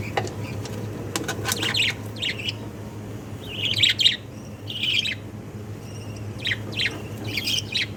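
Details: Young jumbo (king) budgerigar chicks give harsh, raspy chirps in short irregular bursts, some overlapping, over a steady low electrical hum.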